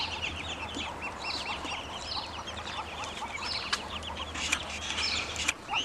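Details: Grown ducklings make a busy chorus of high, short peeps when hungry, some notes louder and closer, with scattered clicks and a low hum underneath.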